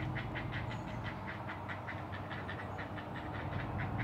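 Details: Nest-cam recording from a great blue heron rookery 100 feet up in loblolly pines, Maryland's Eastern Shore, just after 5 a.m. on 20 June 2018: a run of evenly spaced, harsh clicking pulses with a deep background drone.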